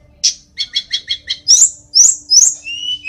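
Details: Tledekan gunung delivers a string of rapid stuttering doubled notes, then loud high rising whistles ending on a soft drawn-out tone.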